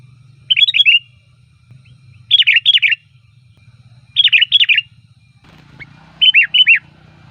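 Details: Sooty-headed bulbul song used as a lure to call bulbuls: short bright chirpy phrases of several quick notes, repeated about every two seconds, with a low steady hum beneath.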